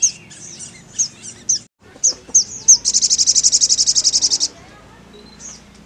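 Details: Sogon giving a string of sharp high chirps, then a rapid rattling trill of high pulses for about one and a half seconds, a brief pause, then a final chirp over faint background hum.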